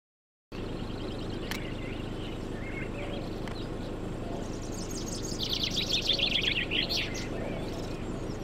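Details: A chaffinch, seeking a mate, gives a bright, descending run of notes that speeds up and ends in a flourish, with faint chirps of other birds and a steady background rumble.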